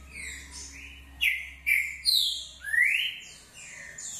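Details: Short song of a green-winged saltator: a run of strong whistled slurs, some rising steeply and some falling, in a tight sequence of about four loud notes, over a backdrop of softer high-pitched twittering.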